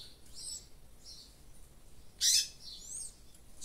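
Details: Caged double-collared seedeater singing in the 'revés' song style, the cage held in the hand: short, high, thin twittering phrases in quick bursts, with one louder, harsher burst near the middle, over quiet background.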